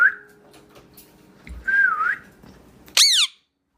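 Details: Pet parrot indoors giving a brief wavering whistle, then after a pause a sharp, loud downward-sweeping whistled note; faint room hum in the background.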